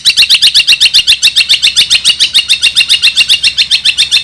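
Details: Long-tailed shrike in 2021, ngekek tembakan style among kuntilanak and gereja songs: an evenly spaced, fast series of sharp, high, buzzy notes, nearly four per second, running without a break.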